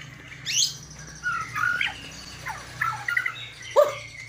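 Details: White-rumped shama (murai batu) song, noted for its bowing display style and rich filler phrases: scattered whistled and slurred notes, some rising, some dropping, spaced over a few seconds against a low steady hum.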